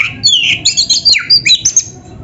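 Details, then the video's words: Oriental magpie-robin (kacer) singing energetically, a training recording for caged birds: rapid, high, varied whistled notes and slurs packed into quick bursts, with a faint low rumble behind. "SUARA MASTERAN BURUNG KACER GACOR ‼️ DENGAN FULL ISIAN MEWAH"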